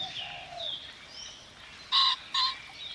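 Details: A Common (Ring-necked) Pheasant birdwatching in urban Shanghai, China, gives two loud, harsh, abrupt notes about half a second apart, rising above thin, high chirps from small birds.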